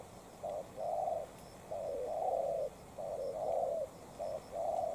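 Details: Spotted dove, a short-tailed decoy bird dueling a high-quality wild dove, gives low hoarse coos in phrases of two to three notes, repeated about every second and a half over quiet background hiss.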